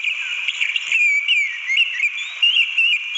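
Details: An Orange-headed thrush in the wild sings a steady, dense stream of rich, slurred whistles, rising and falling quickly at a high pitch, with no pauses.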